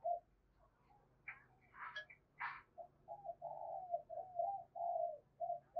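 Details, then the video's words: Spotted dove giving a Hai Hau style lure call, used to provoke and attract wild doves: low, soft coos and a longer wavering coo in the second half, over faint background noise with a few sharp knocks earlier. "tiếng cu gáy mồi chuẩn gáy gọi HAI HẬU dùng kích bổi gáy vang cả buôn làng"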